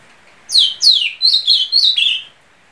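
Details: Azulão, or ultramarine grosbeak, delivering a brief whistled phrase. It opens with two sharply falling slurred notes, then runs into three warbling notes that hold at about the same pitch before dropping at the end. No other sounds are heard.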